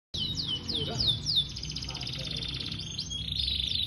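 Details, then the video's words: Yorkshire canary singing a continuous run of descending whistled slurs and fast trills high in pitch, rapid repeated phrases with a steady buzzy rattle, some faint low background noise. "Amunisi bosku"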